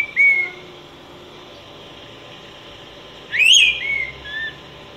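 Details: Araripe manakin, a critically endangered Brazilian forest bird, singing: a short clear whistle, then a pause of about three seconds before a loud upslurred burst, followed by a softer falling whistled note.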